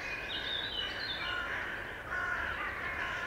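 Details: Common nightingale song phrase with clear whistled notes and quick rising and falling sweeps, held against a constant hiss of background noise.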